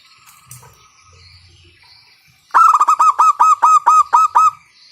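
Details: Local zebra dove with a loud voice, calling to set other doves singing: after a quiet spell with faint chirps, a brisk sequence of about eleven punchy, evenly paced cooing notes.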